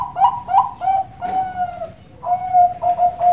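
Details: Captive zebra dove of the Bangkok type, bred at a farm in Kroya, Cilacap, Central Java: quick paired coos, a long sustained tone, a short pause, then resumed rapid cooing notes in a quiet room.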